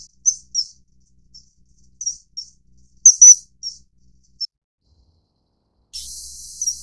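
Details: Common kingfisher (Alcedo atthis), filmed during mating, gives short, shrill, high-pitched whistles, single and paired, at irregular intervals over several seconds; a brief burst of hiss follows at the end.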